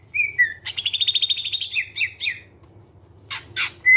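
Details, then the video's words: Clear-voiced greater green leafbird (cucak ijo) song played to lure other birds into singing: a short whistle, a rapid buzzy trill, several falling slurred notes, then two harsh scratchy bursts and a final whistle. "Cucak ijo suara jernih, pancingan biar cepat gacor"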